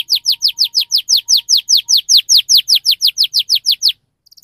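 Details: Fast 'ngerol' song of a canary used to encourage young birds to sing: a steady series of about twenty bright, downswept whistled notes at an even pace, then a short silence and faint high ticks.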